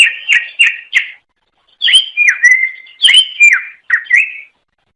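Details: Greater green leafbird, a melodious songbird native to Indonesia, singing to attract other leafbirds: three quick emphatic chirps, a pause, then fluid downward-sliding whistles with sharp high accents.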